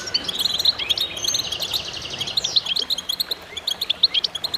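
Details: Group of goldfinches in chorus: bright, tinkling twitters and fast buzzy trills pile up densely, a sustained rising-falling run near the middle amid many overlapping high chirps.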